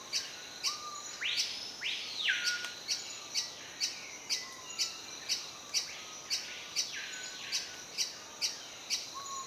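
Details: Lekking male Great-billed Hermit in rainforest understory at Sadiri Lodge, Madidi Park, Bolivia: sharp high ticks repeated about twice per second, with a few loud squeaky notes that sweep up and fall, and brief low whistles.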